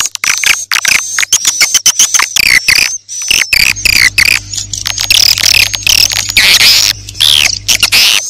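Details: Morning-to-night lure sound of edible-nest swiftlets, made for new swiftlet houses: rapid clicking chirps in quick succession, then denser shrill twittering over a steady high whistle, with a low hum in the second half.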